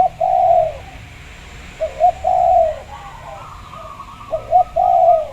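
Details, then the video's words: Local Javanese zebra dove, a big-voiced singer, used as a lure recording to prompt other doves to sing: soft, low, rounded cooing phrases, short notes leading into a longer swelling coo, repeated about every two seconds. "Pancingan Perkutut Agar Bunyi, Suara Besar Mantab"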